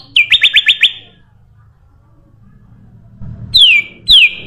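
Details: Sooty-headed bulbul song played as a lure for other birds: a quick run of five clear notes, then two loud whistles sliding sharply downward, each about half a second long, separated by a short pause, with low background rumble.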